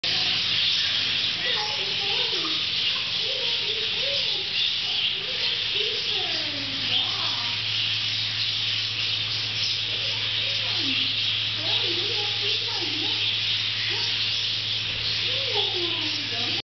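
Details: Many budgerigars in a zoo aviary at Cheyenne Mountain Zoo on 29 August 2011 chatter together in a steady, busy stream of high chirps and warbles.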